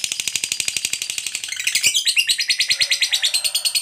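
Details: Lovebird giving a long 'ngekek' trill that is said to draw other lovebirds into calling: a rapid, harsh, buzzy chatter pulsing about three times a second, growing louder and rougher halfway through.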